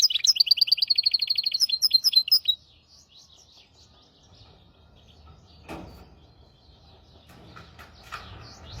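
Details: A hybrid finch, singing as a model for goldfinches and canaries, delivers over two seconds of rapid evenly repeated high chips and whistles, followed by quieter faint notes and a door-like thump.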